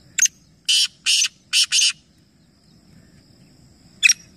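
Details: Black francolin, three birds calling together in a calling competition at Nawabshah, Pakistan: a short harsh grating burst, then a rhythmic phrase of four rasping, broadband notes in quick succession, and one more sharp note after a pause, over faint low rumble.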